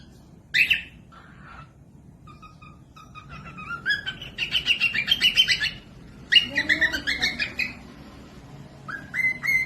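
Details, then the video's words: Cockatiel song for tutoring young or quiet birds. Scattered short whistles build into fast runs of rapidly repeated, warbling harmonic notes. After a brief break come rising, level whistles. "Cocok buat pemasteran falk yang malas bunyi langsung nyaut pemasteran cockatiels"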